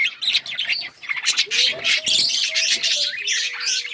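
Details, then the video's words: Australian parrots in a busy chorus of rapid, overlapping high chirps and twitters, about three per second, with a few lower drawn-out tonal notes sliding in the background. "Australian parrots chirping sound"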